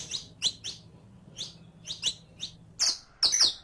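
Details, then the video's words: Captive saffron finch in training audio for teaching birds to sing, delivering clusters of sharp, high chip notes that get louder and buzzier at the close, over a soft low hum. "ENSEÑA A CANTAR A TU CANARIO CRIOLLO CON ESTE AUDIO DE 15 MINUTOS [SICALIS FLAVEOLA]"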